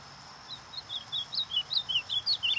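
An ultramarine grosbeak sings a quick run of clear, sliding whistled notes, rising and falling around a high pitch, with a faint steady hiss behind.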